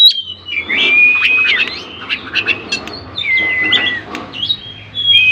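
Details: Oriental magpie-robin singing to provoke silent rivals into replying; long clear whistled notes held level or gently sliding, separated by clusters of short chirps and scratchy notes, with a steady low hum beneath.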